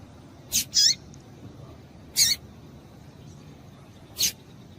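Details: Female double-collared seedeater giving calls to excite males: a quick doubled high chip with downward sweep, then single sharp chips about every two seconds, over quiet steady hiss.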